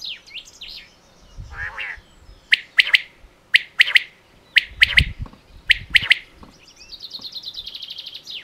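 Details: Common quail calling in sharp, bright three-note phrases, one note then a quick pair, repeated about once a second, with other small birds chirping and twittering at the start and end and a brief low rumble.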